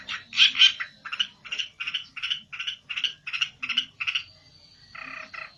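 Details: Olive-backed tailorbird, agitated and seeking a rival, repeating a loud ringing chirp roughly three times a second for four seconds, then a thin sustained whistle and a short double note.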